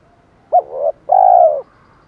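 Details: Spotted dove in Thổ-style voice mixed with fight-provoking calling, used to lure wild doves: a short hooked coo, then a fuller low note and a long, steady, slightly trembling coo, with a quiet background.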